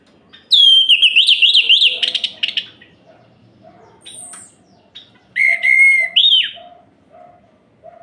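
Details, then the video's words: Orange-headed thrush song used as night-time therapy to rile rival males: loud whistled phrases rapidly warbling up and down, a burst of buzzy notes, then a pause and further clear whistled phrases, with faint low background tones. "Suara Ini Bikin Gerah Anis Merah Lain"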